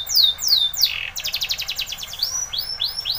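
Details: Spanish Timbrado canary training song: descending whistled slurs, then a fast metallic trill and a row of rising arched notes, bright and high-pitched throughout.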